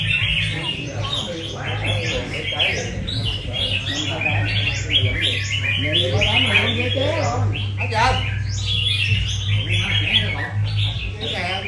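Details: Red-whiskered bulbuls singing against each other in a competition final: rapid, overlapping bursts of sharp chirps and rising-falling warbles, roughly one and a half per second, over a steady low hum and occasional human voices.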